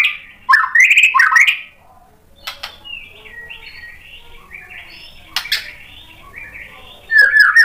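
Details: White-rumped shama (murai batu) song used to provoke a reply: loud bursts of whistled, warbling slurs at the start and end, with softer, quieter twittering and sharp clicks in between.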